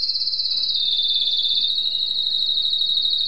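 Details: Canary singing one sustained, rapid high trill that slides gently down in pitch, evenly pulsed and unbroken for over three seconds.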